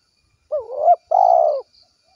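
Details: Spotted dove, a frequent caller, giving a 'kuk 1' call to its companions: a wavering hooked coo that swells, a short gap, then a long, steady, slightly falling coo. Quiet background.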